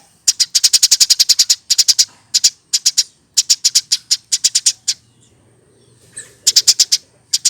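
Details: Hand-raised caged Eurasian tree sparrow over one year old, singing in lively gacor style: loud, sharp, high chirps delivered in rapid bursts of five to ten notes, with short pauses between runs and a faint low hum beneath.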